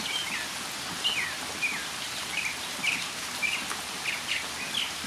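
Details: Northern mockingbird singing in the rain: short whistled and slurred phrases near the upper-middle range, each different, repeated about every half second over a steady hiss of falling rain.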